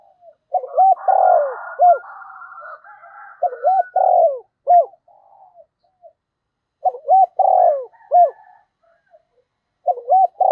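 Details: Decoy spotted dove repeatedly cooing to call: three phrases, each of clipped notes, a long rough coo and a falling tail note, with faint thin higher notes and soft murmurs between.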